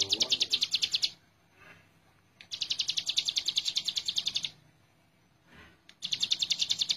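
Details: Bursts of hill prinia song, recorded for training birds: quick runs of high, sharp chirps, each lasting a second or two, separated by quiet pauses.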